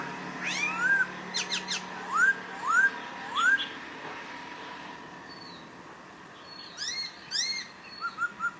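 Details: Papuan poksay from Nabire, Papua, recorded 26 December 2021, singing a series of quick upslurred whistles, then a pause, then buzzier rising notes and a short run of soft repeated whistles.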